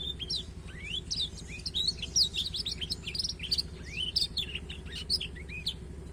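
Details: Tutoring song of a black-throated canary for a learning canary: continuous sweet high warbling with fast varied whistles, slurred upsweeps and short trills, loud throughout, with a low steady hum behind.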